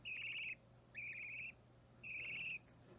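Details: Hand-fed budgerigar nestling about three weeks old, opaline or ordinary green, restless while being fed on 30 March 2017; three harsh, buzzy begging notes, each around half a second, separated by brief pauses, with a faint electrical hum.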